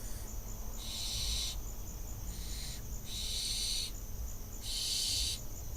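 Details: Barn owl fledgling on an Israeli nest camera, 6 June 2021, practising landing: three harsh, breathy hissing screeches, each lasting under a second and spaced about two seconds apart, with a fainter short hiss between them over a low steady rumble.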